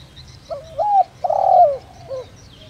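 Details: Spotted dove, a decoy bird cooing in the "đồng rặc" voice style to lure wild doves: a single cooing phrase of a short low note, a rising-falling coo, a longer strong coo and a soft closing note.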